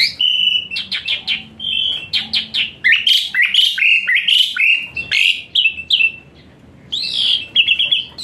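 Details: Asian pied starling, a richly varied full song meant as therapy for a starling that sings lazily; dense run of chirps, slurred whistles and buzzy notes, fast and continuous, with a brief pause near the end.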